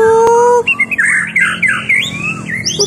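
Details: White-rumped shama pouring out quick chattering, slurred whistles after a steady, even tone at the start, the phrases loud and jumbled, heard indoors.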